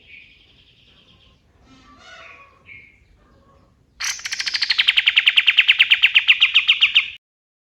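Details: Male white-eye (kapas tembak) at dawn, its song used to train other songbirds: a few soft scattered notes, then a loud three-second volley of quick, sharp, repeated chips that starts high and settles lower.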